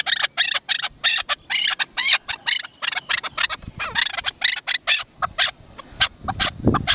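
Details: Harsh, raspy chukar phrases from a Chukar partridge, known locally as Dasi chakor, repeated in quick bursts with a grating, scratchy quality, followed by a brief low thump near the end.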